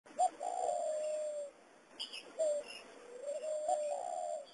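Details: Spotted dove giving the cooing call style known locally as giọng đồng vo vo: low, smooth, drawn-out coos with a brief higher note at the start, two long phrases separated by a pause, plus faint higher chirps in the background.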